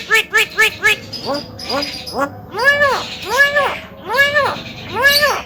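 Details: Javan myna giving four quick clipped notes, then a sequence of longer, slowly arching harmonic calls repeated roughly every second, each swelling and fading.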